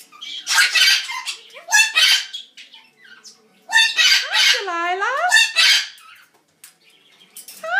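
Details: Captive pet red-headed Amazon parrot screaming when its owner walks away and turns his back, which it does constantly: loud, harsh, raspy squawks in repeated bursts, one wavering rising-falling scream, and brief human speech between calls.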